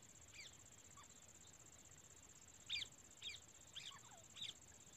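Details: Female grey francolin from India giving a run of four sharp, clipped notes about half a second apart after a quiet start, against a constant high-pitched hiss and faint low noise.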